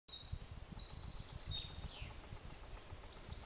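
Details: Cetti's warbler at the boat house, Wintersett Reservoir, Wakefield, 24 April 2016, bursts into a loud, rapid run of about eight repeated high notes, with thin chirps before it over a faint low rumble.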